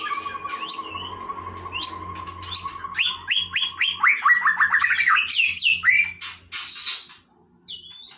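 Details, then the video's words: White-rumped shama holding a long steady low whistle under high chirps, then breaking into a fast accelerating series of rising notes and ending with a few high whistled flourishes. "นกกางเขนดงร้องเล่น Shama Bird"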